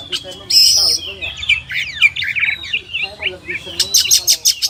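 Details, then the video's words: Oriental magpie-robin (kacer) song: a loud sustained high note, then tumbling slurred whistles and mimic-like phrases, finishing with rapid repeated chips. "SUARA BURUNG KACER, MASTERAN PARA JUARA"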